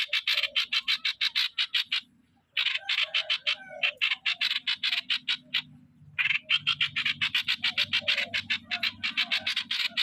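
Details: Rapid harsh chatter from a decoy streak-eared bulbul, 'sor' song style, given in long bursts broken by brief pauses, with low whistled notes beneath and a low droning hum later.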